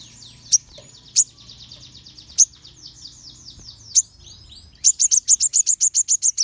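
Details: Crimson sunbirds in a group, singing to provoke other sunbirds: a long run of soft, buzzy high notes with a few loud sharp chips, then a crisp, fast series of bright notes.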